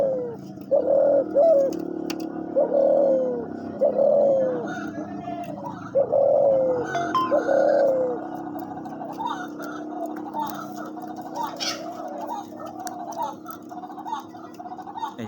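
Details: Hunting decoy dove, kept captive and described as thick-voiced, gives a run of about six low coos, each ending in a falling slur. Later the calls fade under music-like background sound and clatter.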